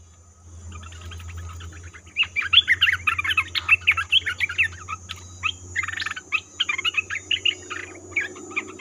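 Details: Lure call of an olive-winged bulbul for trapping: after a low hum, a long chattering run of quick bubbly notes, dense at first, then looser, continuing to the end over a faint steady drone.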